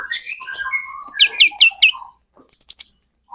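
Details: Energetic white-rumped shama song played as a lure to set other shamas singing back. Rich descending whistles lead into loud clipped notes repeated three times, a brief silence, then another quick burst of sharp high chirps.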